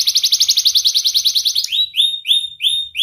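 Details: Sharp-voiced young canary in nonstop song, used as a training lure for young and lazy birds. It opens with a long rapid trill of short notes, then shifts to slower, separate rising whistles.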